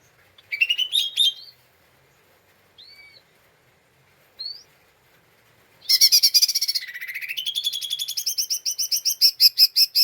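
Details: Agitated lesser green leafbird, calls used as a lure to provoke other birds: harsh opening notes and a few scattered calls, then a long, loud, buzzy ngeriwik rattle of rapid repeated notes lasting about four seconds.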